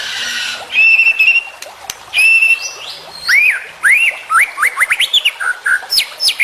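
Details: White-rumped shama training song full of varied phrases: long steady whistles near the start, then rapid rising and falling whistled notes with sharp high chips, dense and loud throughout.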